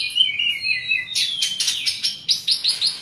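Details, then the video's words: Asian pied starling in busy song suited to prompting quiet birds: wavering whistled notes at first, then a rapid train of harsh, buzzy repeated elements about five per second. "jalak suren gacor ngoceh banyak isian"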